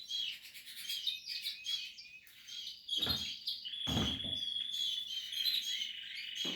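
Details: Portuguese harlequin canary during nest building, singing a high chirping, trilling song with sustained whistled notes and rapid twitters, interrupted by a few low thumps and rustles.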